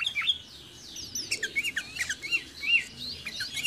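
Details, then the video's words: Sooty-headed bulbul recorded near a home: bright, high, slurred whistles and quick chirps, several short downward-sliding notes with some overlap from other calls. "SUARA BURUNG KUTILANG, CANGKURILEUNG | SOOTY HEADED BULBUL SOUNDS"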